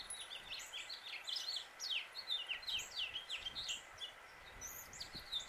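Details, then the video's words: A male house finch sings in Suffolk, Virginia, USA, delivering a long, rapid, tumbling warble of bright, downslurred and twisting notes, about two or three per second, over a faint steady background hum. "House Finch Song and Call"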